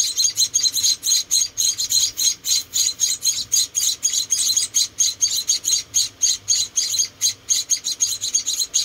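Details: Four small munia chicks, rescued and hand-reared, begging at feeding time with rapid high-pitched thin chirps, about three or four per second, steady and insistent.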